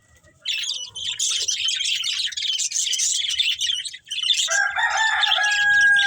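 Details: Breeding pair of budgerigars chattering in fast, scratchy high twitters for several seconds, then a louder, lower, drawn-out tonal call from another bird takes over near the end.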